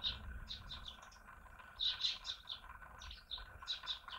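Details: Common blackbird visiting in the morning, singing three short bursts of high, chirpy, twittering notes about a second apart, over a faint steady hum and low rumble.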